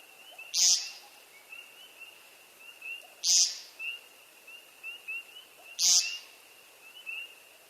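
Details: Three harsh, nasal buzzy peents from a displaying male American Woodcock in early spring courtship, spaced about two and a half seconds apart, over a steady chorus of spring peepers.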